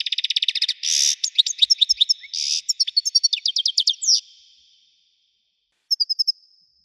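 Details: European goldfinch, Widani type, with a powerful voice. A rapid trill leads into a harsh buzzy note, tinkling chirps, another buzz and more rapid twitter, then silence and a final short chirping trill.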